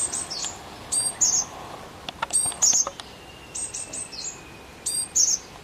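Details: Repeated high, thin phrases from a Japanese tit. Short stacked chirps lead into a bright ringing note, sometimes as a rapid run of several chirps, about every one to two seconds. Scattered faint clicks and a soft steady whine sit behind.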